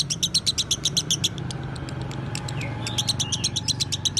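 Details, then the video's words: Lovebird of the Broty line, kept as a master bird for tutoring other songbirds, giving rapid high chirps in a fast repeated series, a short pause with a thin rising whistle, then further bursts of sharp trilled notes. "Masteran Lovebird BROTY Legend"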